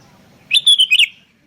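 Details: Vigorous sooty-headed bulbul lure call: a single rapid phrase of about five clear, liquid, whistled notes, bouncing up and down, with a quiet background.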